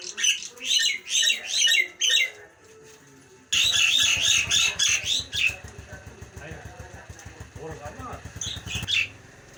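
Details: Nias hill myna calling in a run of rhythmic, harsh, buzzy bursts, then continuing more faintly over a loud low rumbling pulse and background noise.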